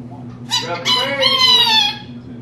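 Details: Talking pet female rainbow lorikeet in a home: a clear, bright, speech-like phrase of nearly one and a half seconds with strong harmonics, rising then gently falling, over a faint low hum.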